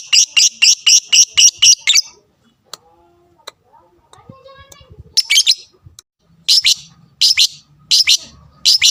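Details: Lovebird fighting sound used to incite rivals: a quick run of seven shrill chirps, a quiet gap with faint soft noises, then spaced harsh doubled chirps resume.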